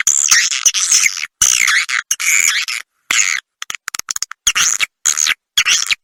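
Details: Lure sound for edible-nest swiftlets, played to entice them to roost, "Ratu Birahi" style: squeaky twittering phrases with sweeping chirps, then a scatter of short clicks and a few more trills.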